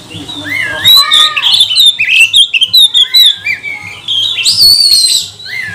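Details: Magpie-robin song played as a lure to goad rival birds into full song: rich sequence of clear rising and falling whistles, chattering bursts and a sweeping high note near the end, with a soft low hum beneath.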